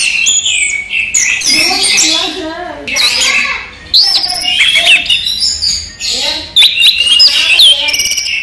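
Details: A caged orange-headed thrush delivers a long daytime song of energetic, varied phrases: sharp high whistles, squeaky slurs and buzzy fragments in quick bursts, with brief gaps between them.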